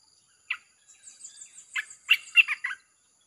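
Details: Red-whiskered bulbul song in the 'chopping' style, used to lure wild birds: a single note, then a faint high thin trill, followed by a short run of louder rich, bubbling notes.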